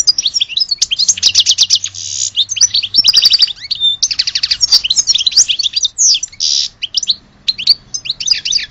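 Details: Continuous song from an Algerian European goldfinch, mixing fast dry trills, tinkling twitters, short whistles and buzzy bursts for nearly nine seconds.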